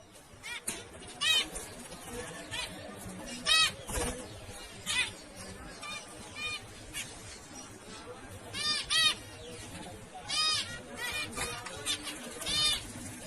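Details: Zebra finches calling: short nasal, harmonic beeps repeated in irregular bursts, sometimes several in quick succession, over a steady hissing background with faint low murmuring.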